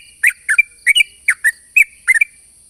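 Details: Sooty-headed bulbul singing as a lure for wild bulbuls: a few bubbly, paired whistled notes dropping then rising, spaced about every quarter second, steady hiss in the background.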